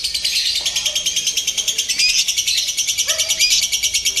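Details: Lovebird rehearsing under simulated contest conditions: steady, shrill, rasping chatter pulsing rapidly for the whole stretch, a few low voices and a short chirp audible below.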